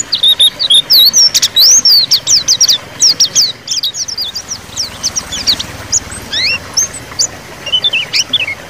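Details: White-eye song in the ngeriwik style, used as a lure to prompt silent caged white-eyes to sing; dense, rapid, high thin chirps and upswept whistles tumble over each other almost continuously, with a soft background hiss.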